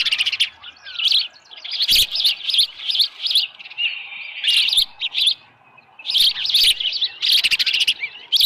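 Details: Dunrovin Ranch osprey nest, 6:52 AM on 24 July 2018, with a headless fish. Shrill repeated chirps in phrases, a softer thin whine midway, then intense clustered calling after a brief quiet spell.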